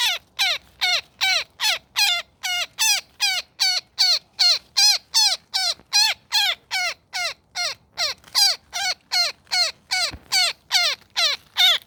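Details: Woodpecker caught in a net, calling in a long unbroken run of rasping, downward-sweeping squawks, steady at about two and a half per second, with a faint knock partway through.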